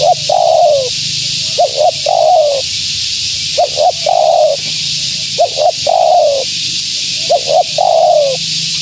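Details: A female spotted dove calls to draw in wild doves, giving brief double notes then a drawn-out falling coo, repeated about every two seconds against constant broadband hiss.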